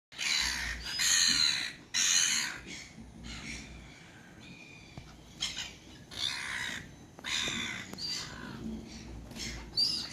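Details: Gulls calling: harsh, broad squawking cries repeated about once a second in uneven bursts, some loud and near, others fainter, over low background rumble.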